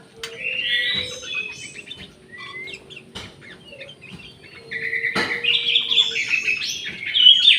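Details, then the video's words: Orange-headed thrush singing in an aviary alongside a jali bird: bright warbled phrases and rising whistles, a quieter middle stretch, then a loud rich burst of varied notes near the end, with sharp clicks between. "SUARA ANIS MERAH"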